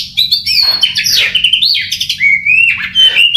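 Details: Short loud burst from a contest-trained Oriental magpie-robin: sliding whistles, buzzy raspy notes and a long level whistled tone, delivered continuously, a quiet hum in the background.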